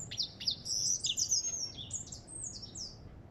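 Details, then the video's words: High, bright twittering song of an African goldfinch, a quick run of thin whistles and ringing trilled notes sliding up and down. "اسمع صوت الحسون الافريقي"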